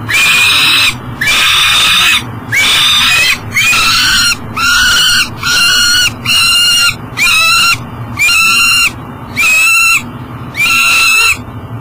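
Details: Peregrine falcon at its nest box by the Mississippi in Minnesota, 7 am, July 2012, struggling to enter with breakfast for its eyasses: a long run of about a dozen harsh, rising-then-level wailing notes in even rhythm.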